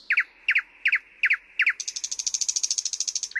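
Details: Thrush nightingale: five loud double-noted chucks about every 0.4 seconds, followed by a rapid, even rattle of high pulses lasting over a second and a half.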